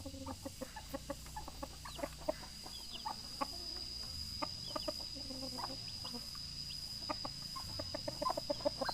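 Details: Rooster calling its mate: bursts of short, low, throaty clucks repeated in quick irregular runs, louder pulses scattered throughout, over a steady high thin whine and faint chirps in the background.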